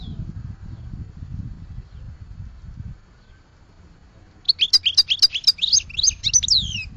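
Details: Goldfinch song: after several seconds of low rumbling background noise, a short burst of rapid, high twittering notes with buzzy trills arrives in the second half.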